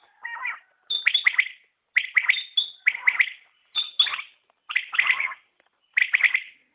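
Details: Common quail calling: six or seven phrases of quick clipped notes in threes, spaced about a second apart, with a brief high whistle over several of them.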